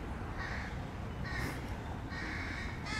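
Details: Young crows being fed, three or four harsh, nasal caws in quick succession over a low background rumble.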